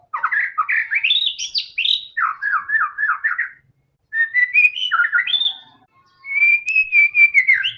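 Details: Lively white-rumped shama song meant to get other shamas singing: rapid rising and falling whistled trills, fast repeated chips, then a steady clear sustained whistle after a brief pause.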